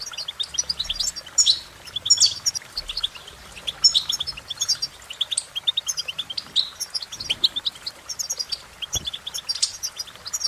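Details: European goldfinch song: a dense, continuous twitter of quick high chirps and tinkling notes, with short buzzy trills mixed in and bursts every second or so, over a quiet low background.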